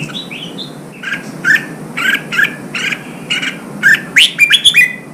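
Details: Red-whiskered bulbul song played to provoke wild-caught birds into fighting and to train their voice: bright, chirpy warbled phrases repeated roughly every half second, ending in a quicker run of sharp rising notes, with a faint low hum underneath.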